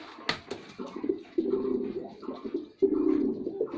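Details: Male white pigeon performing indoors: low, throaty rolling coos in bursts, with a sharp click near the start and a fresh coo phrase swelling after a short pause.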